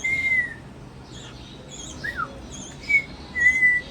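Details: Cockatiel, a pet bird that has learned several tunes, whistles clear, steady mid-pitched notes, one long and level, one short and falling, over soft chirps from other cage birds.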